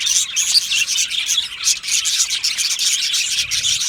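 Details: Australian budgies from an aviary colony singing and chirping happily: a dense, continuous warble of many overlapping high chirps and scratchy notes, with rapid clicking bursts throughout.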